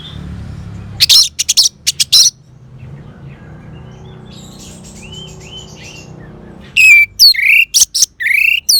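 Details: Orange-headed thrush song as a lure to make a quiet caged bird respond: sharp loud high notes, a pause with soft distant whistles, then a rapid closing burst of downslurred whistles and clicks.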